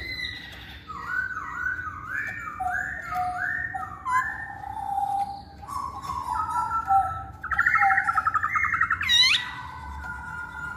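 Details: Masked laughingthrush song played to prompt quiet males to sing: a run of repeated, descending whistled notes about every half second, then louder fluttering whistles ending in a sharp upward squeal.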